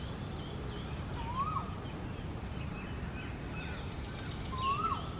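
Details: Male Asian koel singing from a ficus tree in his territory in India as the summer breeding season approaches: two rising whistled notes a few seconds apart, over steady background noise and faint calls of other birds.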